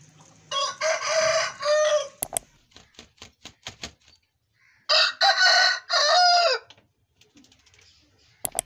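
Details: Two Aseel roosters crowing in turn: a long, harsh, drawn-out crow, then a run of sharp clicks and knocks, then a second strained crow, ending with a couple of sharp clicks.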